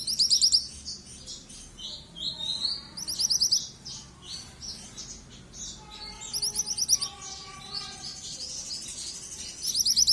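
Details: Young yellow mantenan bird calling continuously: rapid bursts of thin, high, sharply repeated chirps, each run lasting about half a second and returning every few seconds, with softer twittering between bursts and a low background hum.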